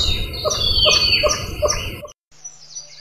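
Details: Swinhoe's pheasant, a Taiwan endemic, at Dasyueshan Forest Recreation Area, Taiwan, on 19 March 2014. It gives rough clucking notes about three to four per second over high songbird whistles, then a pause and fainter chirping.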